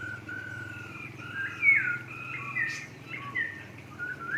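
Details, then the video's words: Masked laughingthrush kept in an aviary, giving steady whistled phrases, level and gently sliding notes, some rising at the ends, with a steady low hum behind. "NYANYIAN BURUNG POKSAY HONGKONG DI DALAM AVIARY MERDU SUPERR"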